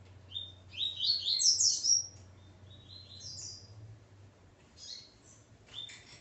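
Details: Double-collared Seedeater, called coleiro, a male paired with his female, delivers a fast jumble of high buzzy slurs. Sparser scratchy notes follow, with a steady low hum underneath.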